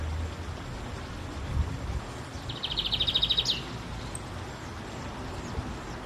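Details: A Lined seedeater (bigodinho) sings free outdoors in nature: a brief, fast, high trill of about a dozen even notes lasting a second, over a steady low rumble.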